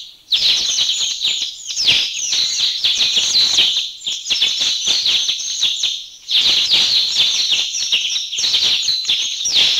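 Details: A flock of about 30 mountain bulbuls calling in Thailand, a dense overlapping chatter of high, sharp chirps and downward-slurred notes, continuous with a brief pause near six seconds.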